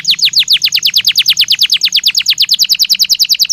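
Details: Belgian canary singing as a stimulus to make a bird respond: loud, steady rolling trill of downslurred high whistles, about seven notes a second, with a soft low hum behind.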